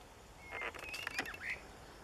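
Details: One of two white-rumped shamas gives a quick burst of thin whistles and sharp clicking notes, ending with a short rising whistle, over a faint steady hiss.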